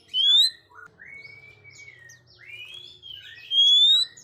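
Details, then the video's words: An Oriental magpie-robin song, used for training young birds that are still silent: a loud rising whistle opens, then soft varied slurred notes and a long level whistle, then another loud rising whistle. "KACER GACOR NGOBRA KHUSUS BUAT TES KACER YANG MASIH BISU"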